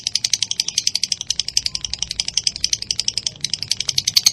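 A lovebird chatters in a fast, continuous stream of sharp, high chirps, about four each second, with little pause and no other clear sounds.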